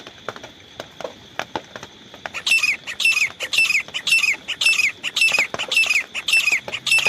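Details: Grey francolin, a decoy bird used for hunting, calling after two seconds of scattered clicks: loud, harsh, repeated phrases, each note rising then dropping sharply, nearly two per second, over a steady high electronic whine.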